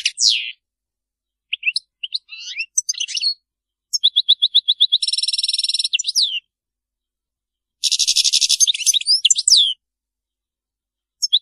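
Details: Maliki-style goldfinch song, error-free per the description: a downslurred whistle, scattered twitters, a run of even notes leading into a buzzy trill, a pause, then a harsh rattle with twisting notes.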